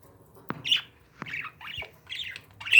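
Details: Pet parakeets indoors give a few short, harsh squawks and rasping chirps, separated by brief pauses, ending in a louder shrill call.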